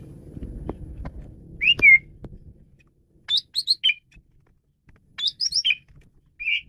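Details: Varied song of a male Asian pied starling, meant for luring and training birds: a clear slurred whistle, then quick groups of bright chirping notes repeated with short pauses, low hum early on.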